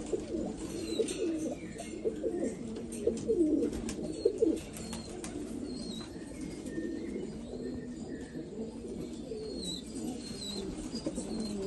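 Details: Black Afghan pigeons from Afghanistan coo in a dense, low burbling chorus, louder with bursts of wing flapping early on, then a steady murmur with faint high chirps of small birds.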